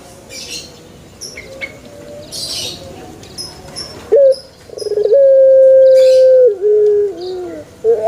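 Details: Male dove, played to encourage other doves to call. Quiet background with faint high chirps comes first. After a sharp note, a stuttering onset leads into a long, level hoot that dips in steps, then a short rising note.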